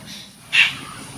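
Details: A Jungle babbler (Argya striata) gives a single harsh, rasping, short squeaky note over a faint low background rumble; call.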